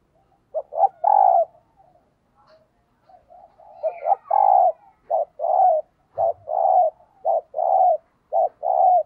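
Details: Spotted dove kept as a decoy, in thúc gù cooing style for luring wild birds: low, rounded coos in short-long pairs, repeating steadily and growing denser toward the end.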